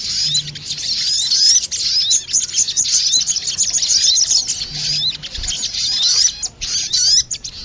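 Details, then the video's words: Male and female crested jay calling in answer to one another, used for luring: busy high chirping and slurred whistles, with short gaps near the end. "Suara pikat burung sogon betina dan sogon jantan,saling saut menyautt"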